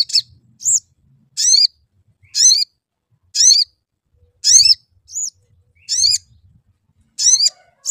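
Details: Lure sound for a sooty-headed bulbul, played to make it sing: repeated bright chirping bursts roughly every second, with shorter, thinner high whistled notes slipped between some of them and faint low rumbling beneath.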